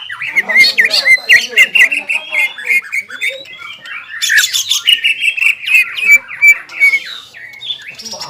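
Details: Greater green leafbird kept as a songbird, singing ngobra and jamtrok phrases brought on by arousal: a dense, unbroken stream of whistles, squawky chatter and harsh bursts, with slurred notes running through the whole stretch.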